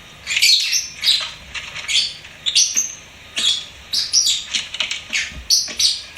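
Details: Continuous chattering from a pet lovebird: rapid, overlapping shrill chirps and squeaks with barely a pause, a busy, scratchy singing stream.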